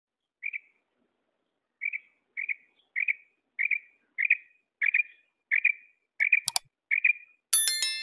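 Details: Female quail calling: short chirped notes at a steady pitch, repeated about every half second with slight irregular gaps, followed by a sharp click and then a loud ringing metallic tone at the very end.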